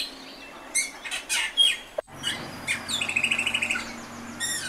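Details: Austral blackbird with a lively mix of sharp squeaky notes, then a fast, evenly pulsed trill and a final rising chattering phrase, loud and close.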